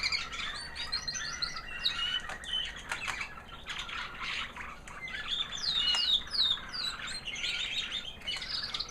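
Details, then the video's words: White American Singer canary female, proven 2009 hen, singing her high sweet post-molt song: dense, fast trills and chirps with rising and falling whistles, almost unbroken. "Singing canary FEMALE - Proven 2009 American Singer white hen"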